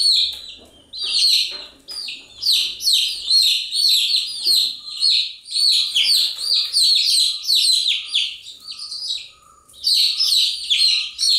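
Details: Restless chicks chirp nonstop: thin, sharply falling peeps overlap in quick irregular waves, with a faint tonal hum at times.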